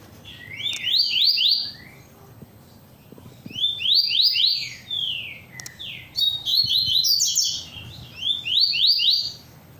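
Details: Double-collared seedeater, a well-kept cage bird, delivers tui tui style song. Bright, fast, slurred whistles rise and fall in clustered runs of several notes, with pauses between phrases and soft low rumbling underneath.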